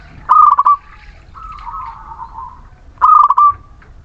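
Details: Zebra dove of the Muria local type, lure singing to stimulate idle birds: loud rolling trilled coo, a long soft wavering middle note, then a second loud trilled coo.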